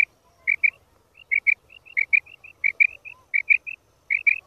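A female quail gives short, high, clipped notes, mostly in quick pairs, repeated steadily over a faint low hum.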